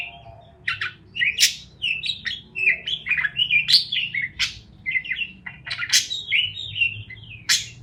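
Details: Chattering parakeet chirps, dense bursts of warbled and squeaky notes with sudden sharp high clicks, going on almost without a break over a quiet low background hum.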